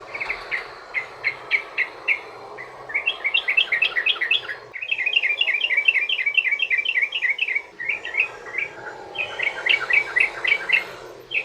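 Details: Sooty-headed bulbul singing a long rolling song used as a lure to get other bulbuls singing: bursts of quick bubbly notes around mid-high pitch, fast chattering runs broken by short pauses, with steady low background hiss.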